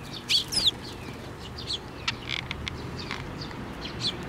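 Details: Eurasian tree sparrows with one chick coming to a hand to be fed at a Tenmangu shrine, 17 May 2024; sharp chirps, a quick burst early on, then scattered softer chirps over low rumbling background noise.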